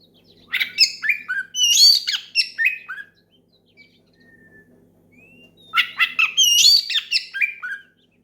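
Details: Oriental magpie-robin singing loudly and openly to call a rival and prompt other magpie-robins to sing: two bursts of rapid, varied whistled and chattering phrases, rising and falling, separated by a quieter gap with a few soft single whistles.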